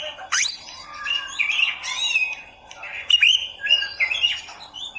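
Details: Oriental magpie-robin singing masteran material for beginners: a sharp rising sweep, then scratchy warbling and chattering mixed with short whistled notes, uneven and continuous throughout.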